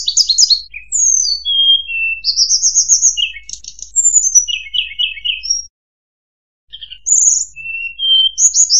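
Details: Blood-breasted flowerpecker song used as a trapping lure: thin trills, falling whistles and buzzy chatter in lively runs, broken by a one-second silence before more high chirps.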